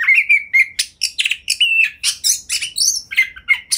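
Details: Captive Oriental magpie-robin in the ngobra style, used as a prompt to make other magpie-robins sing and show their mimicked repertoire. Fast, varied chattering notes with buzzy bursts and short whistled slurs, almost continuous.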